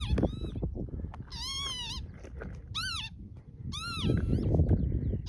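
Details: Mating pair of northern lapwings on Barden Moor near Skipton in June 2026: four wheezy, harmonic-rich calls that arch up and down, spaced about a second apart, over strong low wind rumble.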